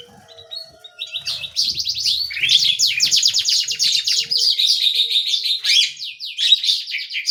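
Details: Small canary in energetic full song ('gacor'): long, rapid rolling trills of high, bright notes, fast sweeping strokes repeated in quick series and shifting between rolls, nearly continuous for several seconds, with faint low rustling underneath.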